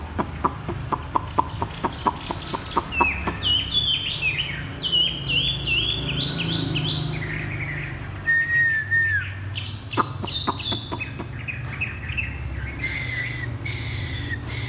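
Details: Caged Chinese hwamei set on the ground, singing in the thắt cổ chai style: slurred whistled phrases rising and falling in the middle-high range, over a run of sharp rapid clicks early on and a low background hum.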